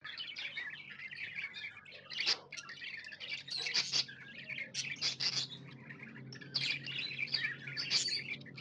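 Budgerigar chirping in a steady stream of bright, scratchy warbles and sharp high chips.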